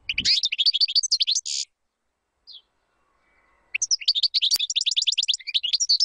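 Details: European goldfinch singing to teach chicks: a twittering phrase ending in a buzzy rasp, a lone thin note after a gap, then another long run of rapid bright chirps and trills.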